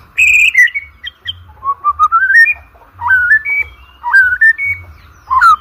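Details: Rich, varied white-rumped shama song used for contest training: a high ringing note, a stepwise ascending whistled run, then looping slurred phrases, over a low background hum.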